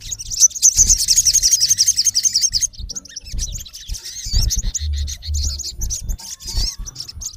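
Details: Recorded in natural habitat, a male olive-backed sunbird calling against a rival opens with a dense rapid rattle of thin notes, then scattered high chirps and squeaky slurs, over low rumbling thuds.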